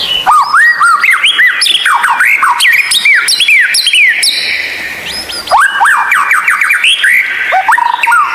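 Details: Fast, rich White-rumped shama song from a tutor recording for lazy captive singers: rapid runs of arched, rising whistled notes, a brief quieter pause near the middle, then a renewed flurry.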